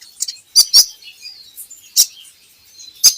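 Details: Javan hanging parrot song played to train birds to sing: sparse high squeaky chirps and faint thin notes between four loud sharp clicks.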